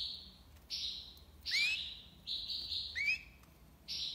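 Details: Singing European goldfinch from Algiers in the tiwawati style: sustained high buzzy trills broken by two sharp rising slurred notes, with short quiet gaps between phrases.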